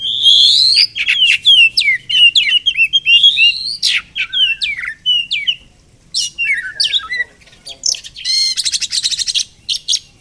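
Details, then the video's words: Wild Oriental magpie-robin that visits a home every morning, possibly nesting nearby, singing a loud, varied run of clear whistles, sharp sweeping notes and rapid buzzy trills, phrases rising and falling with short pauses, no other sounds clearly heard. "Crazy Sounds of Village Magpie Birds"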